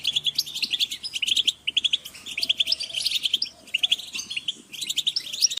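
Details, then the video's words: European goldfinch group calls for motivating birds: busy clusters of high, liquid twitters and chirps from several birds, pausing briefly around the middle and near the end before resuming. "Group calls for goldfinch are great for motivating birds"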